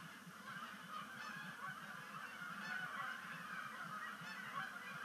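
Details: A dense chorus of Canada goose honks as a migrating flock lands on Sapsucker Woods Pond at sunset in October 2019, with rapid overlapping calls and a steady low murmur beneath.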